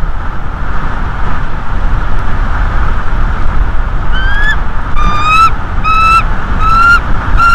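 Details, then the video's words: Bald eagle at a North East Florida nest in early March 2022 gives a run of thin, slightly rising whistled notes, one per second. They start after four seconds of steady low rumbling background noise. "Bald Eagle Cam"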